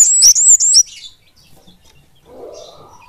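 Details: Flowerpecker (kemade) in full song, ngeplong style with fast, tight phrasing, comparing mountain and village birds: a burst of thin, very high sweeping chirps over the first second, then near silence with a faint low hum.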